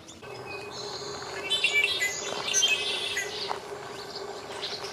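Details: Red-winged Blackbirds in Central California, a subspecies that could be split and whose vocalizations may sound different: busy flock chatter of high, squeaky chips and whistles from several birds at once, over a steady low hum.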